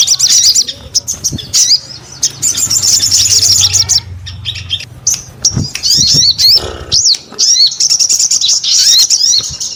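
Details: Energetic high-pitched chattering from a crescent-chested babbler, mixing fast buzzy trills with sharp rising and falling whistled notes, with a low background hum underneath.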